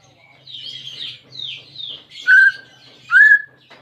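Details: Greater green leafbird song for encouraging a silent caged bird: soft, high, scratchy warbling, then two loud, pure whistles, each sliding down and trailing off, about a second apart.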